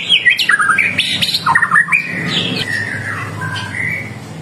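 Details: White-rumped shama singing energetically, used as a lure to get other shamas to answer: squawky, harsh notes and quick stepped phrases jumping between high and mid pitch, easing into lower, smoother warbles.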